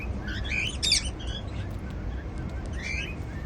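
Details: Cockatiels at their seed meal make brief, scratchy chirps in a quick burst early on, a pause, then another short rising chirp, over low household rumble.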